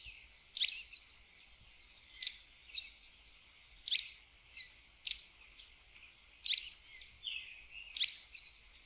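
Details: Sooty tyrannulet singing high, thin, clipped notes in quick paired bursts, each burst spaced roughly one and a half seconds apart, over a quiet natural background.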